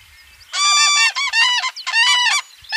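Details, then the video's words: Common crane giving loud, rasping trumpeted calls in three bursts of roughly half a second each, rich in harmonics, with short gaps between; faint low rumble in the background. "Common Crane"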